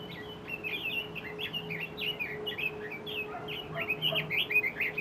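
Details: A wild red-billed leiothrix, an invasive alien species in Japan, sings on Mount Kanuki, Numazu, Shizuoka: a lively, fast stream of bright, looping whistled notes rising and falling, brief quieter chirps beneath, and a faint steady hum.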